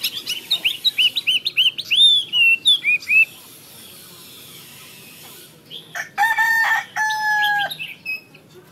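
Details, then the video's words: Chinese hwamei pouring out rapid, ringing whistled notes for three seconds, then a pause; later come loud harsh, harmonic calls that resemble a rooster. "Hoa mi xoe 32"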